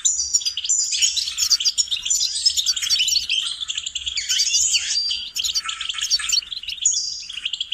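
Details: Goldfinch song used for training songbirds: a continuous, fast, twittering warble of tinkling notes and buzzy trills, rich and varied, with brief twangy rising notes, heard cleanly with no other sounds.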